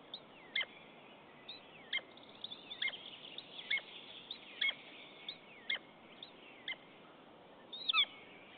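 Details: At an Estonian nest on 10 April 2015, a pair of common buzzards call to each other during a mate's visit without prey. Brief high notes fall in pitch, spaced irregularly, and end in a louder doubled note.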